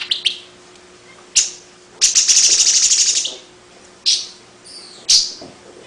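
Long-tailed paradise whydah giving high, sharp chips and a fast, buzzy chattering run lasting about a second, then a few more scattered high notes.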